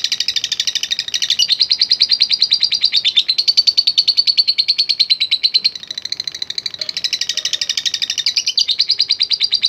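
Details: Lovebird in long, loud ngekek chatter, used to provoke other lovebirds: dense, rapid, high, buzzy pulses with a short dip before the rattle picks up again.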